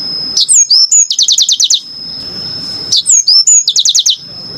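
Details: Yellow-fronted canary delivering two similar phrases: a few looping whistles followed by a quick series of falling high notes, over a continuous thin high tone.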